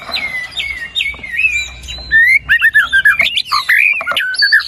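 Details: White-rumped shama lure song meant to get a lazy bird singing: smooth drawn-out whistles open, then a fast sequence of clipped, looping whistled notes rising and dropping.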